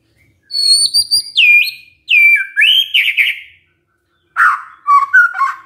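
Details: White-rumped shama lure song to get other shamas replying: high bright notes sliding down into buzzy phrases, a brief pause, then low mellow warbled whistles.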